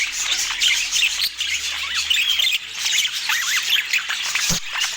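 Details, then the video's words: Several budgerigars during a healthy meal keep up a busy warbling chatter of short chirps, squawks and bent whistles, overlapping throughout, with a sharp clack near the end; no speech or music. "Sweet Chirping Sounds During a Relaxing Healthy Meal"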